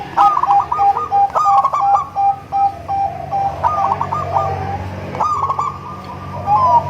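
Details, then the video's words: Zebra dove of local and Bangkok crossbred stock, its melodious song used to lure other zebra doves; rapid trilled coo phrases break into steady repeated notes, several phrases in a row over a low background hum. "Perkutut lokal#krosing#bangkok suara merdu untuk memancing perkutut anda"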